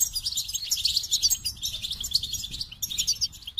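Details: Goldfinch song: a fast, continuous twittering of high, liquid chirps and trills, with tiny pauses between bursts over nearly four seconds; faint low background rumble.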